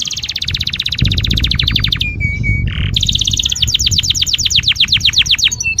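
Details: Mating-lure song of a canary: a long, rapid rattling trill, a short flat whistle and a harsh burst, then another fast rolling trill, over a noticeable low rumble.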